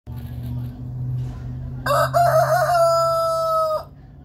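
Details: Domestic rooster crowing: after a low steady hum, a single loud drawn-out crow of about two seconds, with a slightly wavering start and a level sustained end, over constant low background noise.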